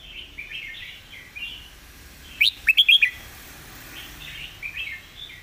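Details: Red-whiskered bulbul, clear master song: a single tight cluster of five crisp, high chirps is flanked by faint, soft warbled notes in the background.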